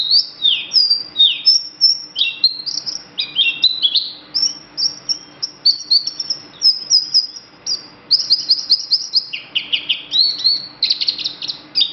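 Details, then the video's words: Green bird singing energetically: a continuous stream of high, sharp whistled notes, slurs and rapid trills, constantly changing phrases with barely a pause, over a faint steady low hum. "Suara burung hijau berkicau!!"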